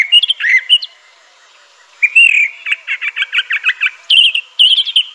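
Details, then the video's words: A crissal thrasher gives warbled phrases, falls silent for about a second, then delivers a series of evenly spaced repeated notes followed by higher, sharper phrases. "Crissal Thrasher bird song."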